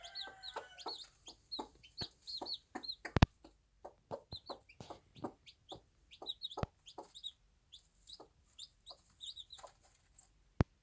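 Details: Mother bantam hen on a small farm with her chicks: a steady run of short, dry clucks, several a second at times. Faint high chick peeps sound early on, and a few sharp knocks stand out.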